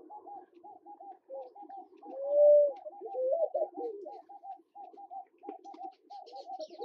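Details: Namaqua dove in Kenya giving one drawn-out, smooth, low coo that swells and arches gently near the middle, followed by a rougher wavering phrase, over a continuous background of quick repeated short notes.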